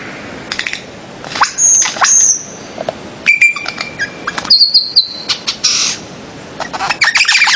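Bird-of-paradise giving a varied run of high chirps and thin whistles, including a level held whistle and a bright ringing note, with short clicky bursts between.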